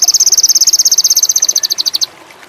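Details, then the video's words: Sogon indigo, a bird in high mating condition, giving a two-second, very high pulsed trill of about thirty rapid notes that slows slightly before ending, followed by quiet. "PANCINGAN SOGON INDIGO ‼️AWAS BURUNG TAMBAH GACOR‼️MACET BIRAHI TINNGGI"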